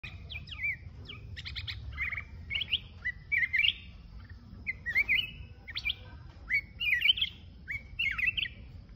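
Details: Mountain-type red-whiskered bulbul singing solo: short bright whistled phrases, each a quick rising-then-falling slur, delivered in a steady string of about a dozen notes over nine seconds, with a faint low background rumble.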